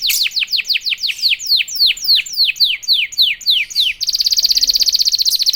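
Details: Canary song aimed at provoking other canaries, a long series of loud downslurred whistles about three per second, switching abruptly to a rapid, buzzy high trill.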